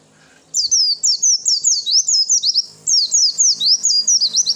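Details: Male Oriental white-eye, a fighter bird, singing a loud, rapid string of high, sharp downslurred whistled notes, about four per second, in two bursts with a short break, meant to provoke other birds to answer.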